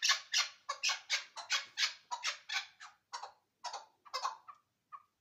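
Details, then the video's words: Chukar partridge from Ishkoshim giving a series of harsh, raspy chuk notes that start loud and fast, then slow, thin out and fade to a few softer clucks. "Кабки Ишкошим"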